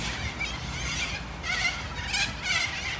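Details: Mixed flock of Australian Sulphur-crested Cockatoos and Corellas at Sunbury gives loud rasping screeches in pulses roughly every half second to second, layered over constant flock noise and faint background birdsong.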